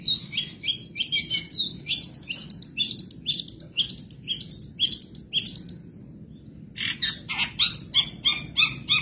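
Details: Kept Madura long-tailed shrike on a 2023 tutor recording full of copied birdsong; fast buzzy chattering and trilled notes fill the first six seconds, a short gap, then rapid repeated chips return.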